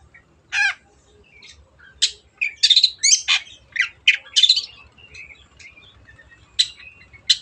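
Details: Long-tailed shrike singing vigorously, used as a lure to restart silent birds: a loud rasp, then a busy mix of sharp chirps, buzzy notes and scratchy phrases, ending with scattered single clicks.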